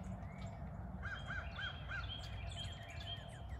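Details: After rain, a crow among three regular morning visitors asks for breakfast with four quick arched caws, while thin whistles of other small birds overlap and a low steady rumble continues underneath.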